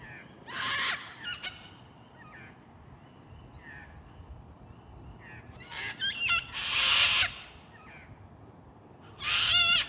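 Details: Two Australian cockatoos screeching at dusk in Linear Park, Adelaide, a native bird of old gum trees: three loud, harsh, broad screeches, at the start, midway and the end, with faint thin bird notes in between.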